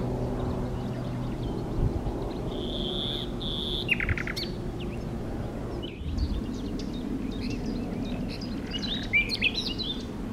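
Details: Common nightingale (Luscinia megarhynchos), song.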